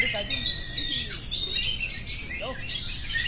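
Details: Rapid unbroken singing from an oriental magpie-robin, with sweeping high whistles, buzzy chatter and overlapping phrases over a steady low hiss.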